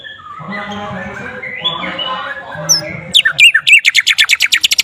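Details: White-rumped shama singing with flycatcher notes mimicked. Murmuring low background sounds come first, then sharp downslurred whistles and a fast, accelerating series of piercing high clicks.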